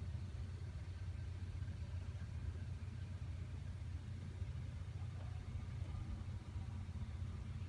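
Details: A deep, continuous engine rumble from an idling vehicle dominates throughout, with no animal sound.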